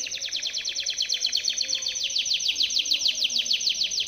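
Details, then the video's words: Timbrado canary singing its powerful training song for other canaries: an unbroken, rapid rattling trill of pulsed high notes, shifting midway into slightly slower, sweeping downward-slurred pulses. "TIMBRADO canary singing - Timbrado canary's most powerful song for training / canary training song"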